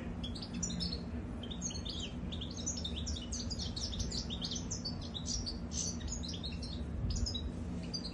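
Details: Continuous bubbling goldfinch song, crowded with rapid high chirps, buzzes and tinkling trills without pause, over a steady low hum.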